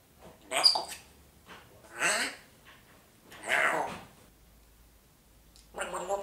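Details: A talking parrot imitates comedian Kaya Yanar, saying "Was guckst du?" in short, raspy, voice-like phrases, three bursts a second or so apart with a fourth starting at the end; a quiet room behind.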